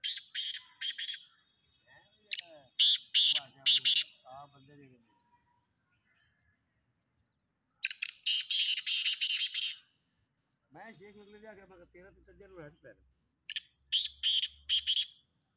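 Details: Black francolin in a calling competition gives loud, harsh, grating phrases of three to five clipped notes, repeated in bursts every few seconds; a faint human voice murmurs briefly near the end. Black francolin.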